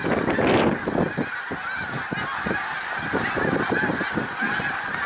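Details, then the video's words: Snow geese at Middle Creek Wildlife Refuge, Pennsylvania, 1 March 2021, a big flock giving a steady roar of overlapping nasal honks, with a louder burst of calls near the start. "Snow Geese Middlecreek Wildlife Refuge pa."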